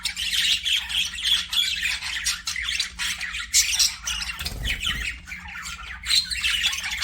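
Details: Pet budgerigars chattering nonstop: dense, scratchy, warbling chirps and squawks overlapping throughout, with a brief low thump near the middle and a faint steady hum underneath.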